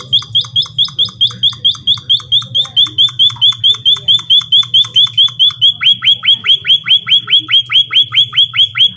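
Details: White-headed munia in full chirping: a steady, rhythmic string of shrill high notes, about two per second, turning slightly louder and fuller partway through, over a soft low hum.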